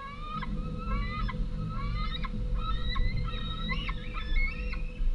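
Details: Two large fledged White-tailed eagle young back at the nest on 11 August 2014, screaming for food as the females land with a modest prey item; dense overlapping high, whistled, rising and falling screams, with a steady low hum underneath.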